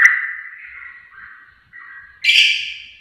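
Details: Sooty-headed bulbul lure sound for prompting singing. A drawn-out, slightly wavering whistle dips and returns, then ends in one harsh, raspy burst.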